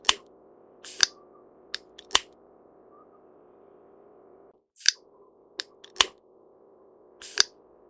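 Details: Great spotted woodpecker giving sharp, abrupt kik notes at irregular intervals, about seven in eight seconds, some doubled, against a steady low droning hum that briefly drops out.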